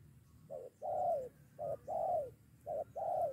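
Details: Spotted dove responding to a decoy bird, almost starting a two-against-one fight: mellow hooting phrases of one clipped coo and one longer downward-sliding coo, heard three times, with low steady noise behind.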